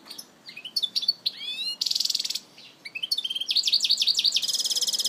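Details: European goldfinch in Algiers delivering a lively, varied song: quick chips and rising glides, then a buzzy rattle, followed by a run of looping, repeated twittering notes that ends in a sustained high buzzy trill.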